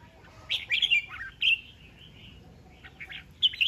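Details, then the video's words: Red-whiskered bulbul, a caged decoy bird displaying with fanned feathers, recorded 19 February 2023: short bright whistled phrases with quick slurred notes, a brief pause, then another whistled flourish near the end. "Chào Mào Mồi Xoè"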